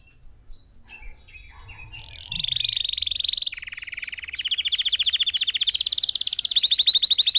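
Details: Red factor canary in song, played so other birds practise singing: scattered chirps at first, then loud rolling trills shifting in pitch and speed, continuing to the end.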